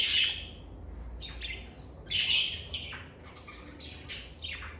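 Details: Calm, stress-free lovebirds utter sharp, high chirps and squeaky buzzes, several spread unevenly over a few seconds, over a low steady hum.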